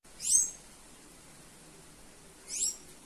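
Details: Female sayaca tanager calling to stimulate others: two short, shrill, high squeaky notes roughly two seconds apart, separated by quiet hiss.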